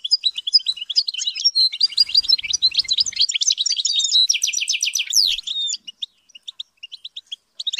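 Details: European goldfinch under training to sing at high pitch: an energetic, unbroken twittering phrase with buzzy trills and quick repeated notes for over five seconds, then a few spaced single chirps.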